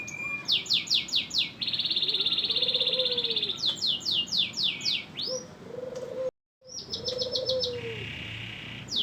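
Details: Canary in full, energetic song: bursts of quick descending sweeps, a sustained buzzy high roll and a lower trill, with a soft, low, arched whistle repeating; the sound briefly drops out partway through.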